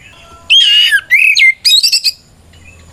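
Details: Kacer (white-rumped shama) in aggressive challenge song used to provoke rivals: a harsh, buzzy rich phrase followed by quick slurred whistles and crackling notes, then a brief pause.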